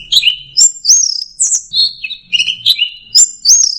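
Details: Orange-headed thrush, anis merah, singing in 'teler' style: a lively series of slurred whistles and sharp high chirps alternating between pitches, with a faint low hum underneath.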